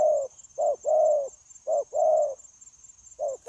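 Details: Wild-caught spotted dove cooing persistently, trapping recording of 9 January 2024: soft low short-long pairs, the second note swelling and fading, spaced about a second apart, ending in a brief click over a constant high hum.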